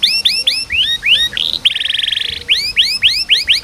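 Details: Canary song used as a master recording to coax reluctant canaries into singing: clear rising whistled upsweeps repeated about four per second, broken by a fast buzzy trill lasting under a second, then more upsweeps.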